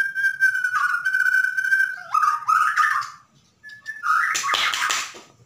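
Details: Bornean white-rumped shama singing energetically in the 'dar der dor' style, used to lure other shamas into song: a long steady whistled note, then stepping, slurred whistles, a short pause and a burst of rich, harsher warbled phrases.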